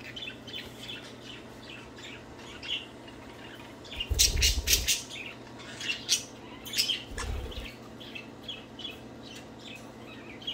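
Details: Budgies playing and singing: a long run of rapid scratchy warbling chirps, broken by two loud broadband harsh squawks or clatters, over a steady low indoor hum.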